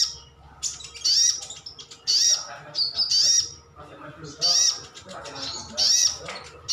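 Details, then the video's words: Kept sunbird (sogon) calling in wild style to draw replies from other birds: piercing high chips in tight clusters, separated by short pauses, with a faint low hum behind. "Suara panggilan sogon/sogok otong/sriganti pasti nyaut."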